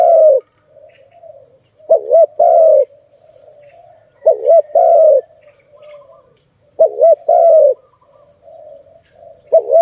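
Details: Zebra dove giving low, mellow cooing phrases. Each has a quick stuttered double note followed by a longer rolling coo, repeated about every two and a half seconds. Faint softer cooing fills the gaps.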